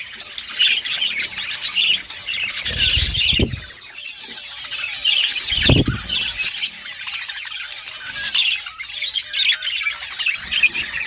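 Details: Pet budgies keep up a lively stream of high chirps and scratchy warbles, with two loud rustling bursts of wings partway through.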